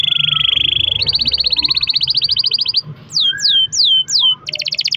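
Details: Canary pouring out long rolled song, used as a prompt for other canaries: a steady buzzy trill rises into a faster roll, then loud downward-swooping whistles and a brisk chatter.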